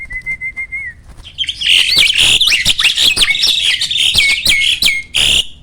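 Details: Kept starling song used to prompt lazy birds to sing: a short run of steady whistled notes, then a dense, loud burst of harsh chattering and warbled phrases with sharp squeaks throughout.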